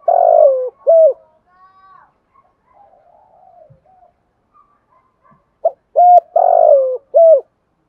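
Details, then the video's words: Decoy spotted dove with a 'thổ bầu' voice giving 'gù bái' coos: a hoarse falling coo and short note open the clip, a long near-silent pause with faint murmurs, then clipped notes and another falling coo. "chim cu moi thuc gu bai vơ"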